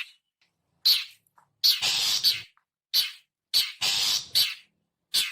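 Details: Long-tailed shrike call, local name cendet, offered as a lure sound for birds: harsh, grating, noisy bursts, some short and some drawn out for about half a second, about eight in five seconds, with clean silence between.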